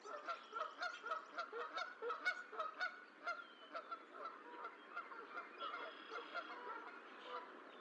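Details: At the Decorah eagle nest, a goose calls while its last gosling hatches on 14 April 2024. A steady run of clipped honks, about two per second, fades after midway, with thin high bird twitters behind.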